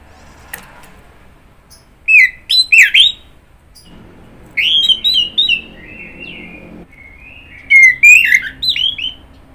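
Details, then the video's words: Orange-headed thrush song of varied whistled phrases: a loud burst of slurred notes, a rambling soft middle section, then another rich flurry of whistles. "Kicauan Burung Anis Merah"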